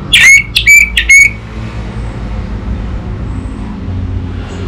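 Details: Captive orange-headed thrush kept in north Bali, Indonesia, used to prompt raw birds to sing: three fast upturned whistled chirps within a second, followed by quiet hum and faint distant noise.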